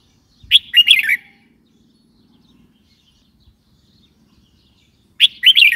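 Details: Red-whiskered bulbul calling: a short, bright, warbled phrase of quick rising and falling notes, heard twice about four and a half seconds apart, with quiet pauses between.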